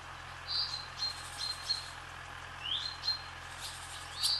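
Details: Barn swallows skimming across the sky above a swallow farm give short, sharp chirps near the upper middle range, some with quick rising sweeps, spaced irregularly over a steady low hum.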